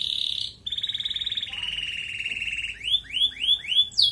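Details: ["Red canary in full 'ngerek' song, played to arouse females for breeding. Steady buzzy trills slide lower, then give way to a series of rising, whistled swoops repeated about twice a second."]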